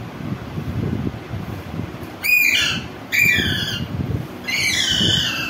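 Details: Green parrot calling outdoors: three loud, harsh screeches, each a grating note with stacked bands that slides downward, spaced about a second apart over low rumbling background noise.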